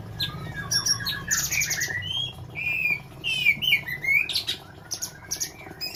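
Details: Caged sooty-headed bulbul offered for sale in Semarang, Indonesia, singing busy, varied phrases: slurred whistles and quick rising notes mixed with higher buzzy, rattling chatter, with short pauses between bursts and a low background hum.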